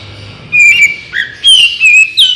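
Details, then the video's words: Oriental magpie-robin (kacer) in vigorous gacor song meant to prompt other birds to answer: three loud whistled phrases, a clear note, a low rising slur, then a bright descending run. "suara burung kacer gacor"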